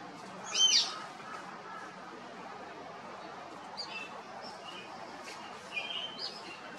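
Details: At the Los Angeles Zoo on 21 March 2021, as a chick ducks for cover, a spur-winged lapwing gives one loud, sharp, high metallic note, then a few faint thin chirps over steady background hiss.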